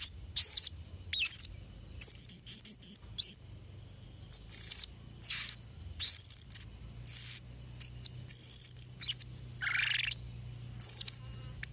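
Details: Blue-crowned hanging parrot singing vigorously, used to tutor young birds: rapid strings of shrill high chirps, thin drawn-out squeaks and harsh rasping bursts, delivered in busy bursts across the whole stretch.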